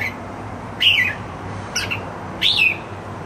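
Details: Red-whiskered bulbul at home singing happily, three brief, clear whistled phrases, the first and last slurring downward, separated by quiet gaps.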